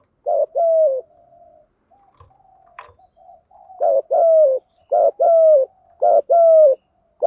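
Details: Thổ Gù style cooing of a spotted dove meant to draw wild doves in: paired low coos, a short note then a longer sustained one, repeated about four times with soft murmuring and a faint click between.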